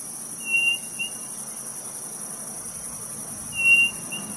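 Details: Codorniz quail from northeast Brazil whistling twice, each phrase a bright level whistle trailed by a shorter note, roughly three seconds apart, with steady high-pitched insects behind.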